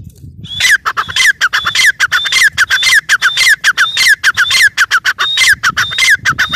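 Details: Female grey francolin (teetar) calling: loud, rapid repeated squawking notes, each a falling whistle near the top with a sharp downward slur below, run together in a fast insistent series for several seconds.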